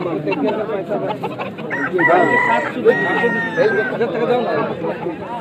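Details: Rooster crowing, a long drawn-out crow rising and holding through the middle seconds, partly masked by people talking close by.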